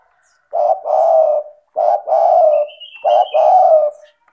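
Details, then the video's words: Energetic spotted dove, offered as therapy for doves reluctant to call: three deep, hollow coo phrases in steady rhythm, each a short note then a longer purring coo; a thin whistled note from another bird between them. "Pancingan bunyi suara burung tekukur gacor cocok untuk terapi tekukur malas bunyi"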